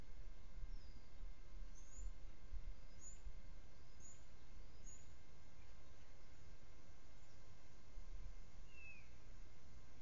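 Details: Adult female bald eagle nagging as the male joins her at the nest, heard on a nest camera: four thin, high, down-slurred chirps about a second apart, then a lone lower squeal near the end, over steady hiss and hum.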